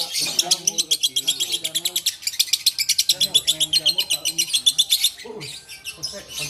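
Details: Caged lovebird in Takengon, Aceh, delivering long runs of rapid, shrill chirps at roughly four per second, pausing briefly then resuming, with a man's voice urging it on in the background.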